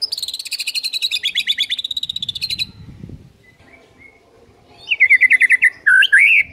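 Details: Lively white-rumped shama song for getting other shamas to sing: a long rapid buzzy rattle of repeated notes, a quiet gap with soft rustling, then a quick series of swooping whistles and a rich warbled phrase.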